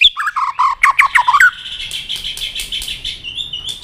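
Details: White-rumped shama stimulated to sing aggressively, a quick series of about ten descending slurred whistles, then a sustained buzzy, pulsing trill.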